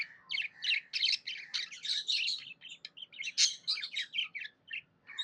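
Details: Budgerigar kept as a pet chattering happily in a dense, nearly continuous run of buzzy warbled chirps and sharp tweets, easing into a few spaced notes at the end.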